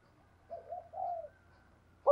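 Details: Spotted dove cooing in the thổ sấm voice style: three soft, low, hollow coos, the last one longest and gently falling, followed by a brief sharp click in otherwise quiet surroundings.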